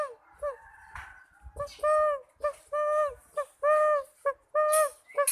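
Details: Young spotted dove with an unusual voice, a kept bird: a run of short, level, hollow hooting notes in quick succession, about five over three seconds, with faint clicks and handling noise between them.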